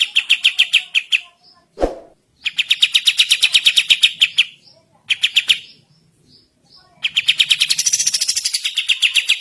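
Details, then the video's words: Morning song of a sooty-headed bulbul, kapas tembak style used for training: three fast series of clipped, ringing repeated notes separated by brief gaps, with a single sharp knock near the start. "Burung Kapas Tembak Gacor Masteran Pagi Hari"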